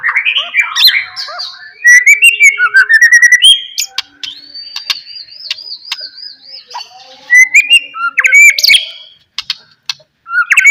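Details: White-rumped shama song played as a lure to prompt other shamas to sing: rich varied phrases of whistles, slurred notes, sharp clicks and buzzy trills, including a long wavering whistled trill, loud and continuous with brief pauses.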